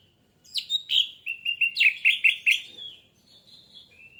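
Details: Orange-headed thrush phrase in a lure to trigger singing: a few sharp opening notes, then a quick rhythmic string of about eight clipped, chirping notes, trailing into soft, thin whistles.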